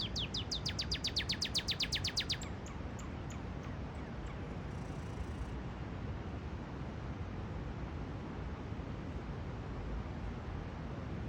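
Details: A Northern cardinal in a park sings a quick run of about fourteen steeply falling whistled notes over two seconds, then goes quiet against steady low traffic rumble.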